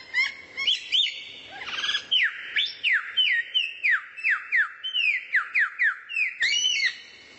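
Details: Tutor song from a rare bird for training kacer (White-rumped shama): clear whistled notes, each sliding sharply downward, repeated roughly every half second in a long steady series, with a few rising chirps at start and end.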